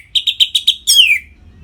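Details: Caged orange-headed thrush from North Bali giving five quick, evenly spaced chirps followed by a long, loud, downward-sliding whistle, a 'ngeplong' phrase used to stimulate other captive birds.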